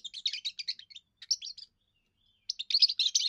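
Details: Young European goldfinch singing its first song to claim territory and draw females: quick chattering run of high twittering notes, a short buzzy phrase, a pause, then a dense burst of tinkling trills.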